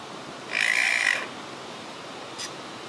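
A superb lyrebird gives one harsh, rasping note lasting under a second, followed by a brief faint click; otherwise quiet.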